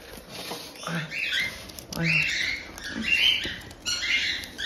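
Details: Cockatiel chicks about one month old, kept by a breeder in Tokachi, Hokkaido, making the harsh 'jaa-jaa' calls given only in the chick stage: raspy, buzzy screeches repeated roughly once a second, with rustling and a voice in the background.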